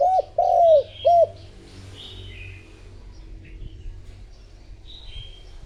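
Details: Decoy spotted dove cooing to lure wild doves: three low, hollow coos in quick succession, the middle one longest, followed by faint high chirps from other small birds in the background.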